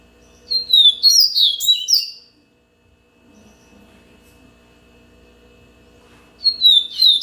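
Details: Yellow-bellied seedeater singing one rapid phrase of high whistles and tumbling warbled notes, followed by about four seconds of near silence with faint low hum, then the start of a second similar phrase.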